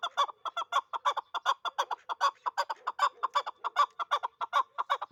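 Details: Dulangi hybrid chukar partridge, kept as a hunting bird, calling a fast, even series of hoarse chuck notes, roughly two or three per second with doubled pulses, clear and close.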